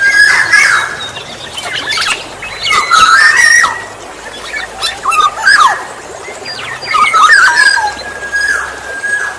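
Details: Kepodang emas, the Black-naped oriole, heard as a lure for orioles: liquid whistled phrases that rise and fall, spaced by short pauses, against a dense chorus of sharp high chirps from other birds.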